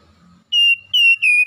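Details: Oriental magpie-robin song used to coax a lazy bird into singing: three loud, pure, high whistles, each held steady for a fraction of a second, the last slightly falling, with a faint low hum beneath.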